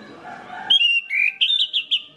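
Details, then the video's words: Orange-headed thrush song used as a lure to get other orange-headed thrushes singing: after a murmur of background noise, a bright burst of high whistled notes, sliding and warbling, ending in quick repeated chirps. "PANCINGAN ANIS MERAH INI BIKIN GACOR ANIS MERAH LAIN"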